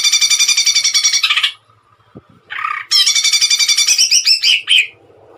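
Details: Harsh rattling trills pour out from a greater green leafbird singing hard in the tembakan style. After a short gap, another rattle ends in sharp, slurred whistles.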